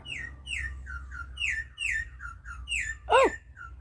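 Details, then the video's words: Venezuelan troupial, the orange and black bird, calling outside in Bonaire during a pottery session: a series of clear, downslurred whistled notes repeated about twice a second, with a louder swooping note near the end. "you hear that bird? That's our troupial, the orange and black one."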